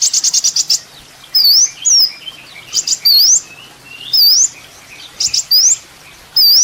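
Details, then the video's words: Sunbird (kolibri ninja) master recording used to train songbirds: rapid high trill bursts alternating with thin rising upslurred whistles, loud and clean against quiet background. "masteran mewah full isian kolibri ninja bikin burung emosi"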